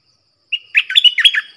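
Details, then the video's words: One quick phrase from caged decoy bulbuls, four birds in all: a short whistled lead-in followed by a jumble of bright, bubbling, up-and-down notes lasting about a second. "เสียงต่อนกดอกแตงEp.68 เสียงต่อจากป่าจริงๆ นกต่อ4ตัว!!! Suara merbah lekir gacor"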